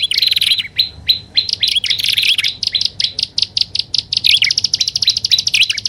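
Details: Combined prinia lure calls, including grass prinia: dense, continuous high twittering of quick chirps and wavering whistled notes running throughout without pause.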